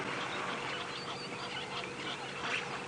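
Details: Several Egyptian geese at a waterhole at about 4:36 PM on 18 May 2017, agitated as a baby elephant chases them, give a dense, overlapping clamour of harsh, raspy honks over a steady hiss.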